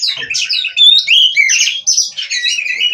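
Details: Captive-bred Oriental magpie-robin in continuous full song, a fast torrent of sweeping whistles, chattering trills and scratchy notes that blend into one another without a break.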